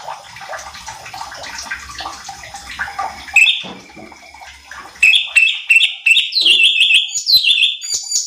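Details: Cucak cungkok bulbul song intended to stir up competition birds: after several seconds of hissing, splashing background noise, rapid whistled notes burst out and step downward in fast, lively phrases.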